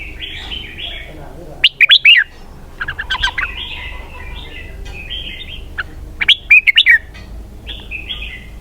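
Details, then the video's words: Red-whiskered bulbul singing a song in the 'double-twist' style: two bursts of rapid, slurred whistled notes, with softer warbling phrases between them. "giọng hay cực xoắn kép"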